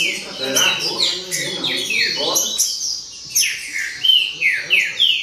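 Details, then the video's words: A chorus of green-winged saltators. Bright whistled phrases fall sharply in pitch and follow each other closely, with a brief lull mid-way. Several clean descending slurs come one after another near the end. Faint background murmur. "Baderna De Trinca Ferro"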